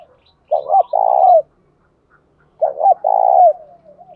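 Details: Spotted dove calling to provoke a fight: two matching phrases two seconds apart, each a short double hoot followed by a long vibrating coo that slides down at the end.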